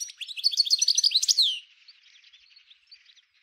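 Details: Algerian European goldfinch, Souk Ahras (Taghast), 1995, in the 'nature' song style: a fast, bright string of tinkling notes rising to a peak, then a quiet fading twitter.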